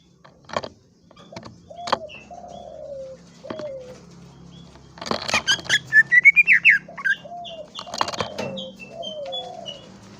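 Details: Greater green leafbird song: low slurred whistles falling in pitch alternate with bursts of quick, high twittering and chattering notes, with a few soft clicks between phrases.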